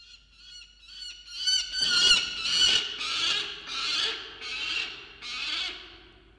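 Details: Male peregrine falcon on a box camera at 6:09 am on 27 December 2022, screaming while protecting a freshly caught musk lorikeet; harsh, grating screams start softly, then swell into a run of about seven loud calls.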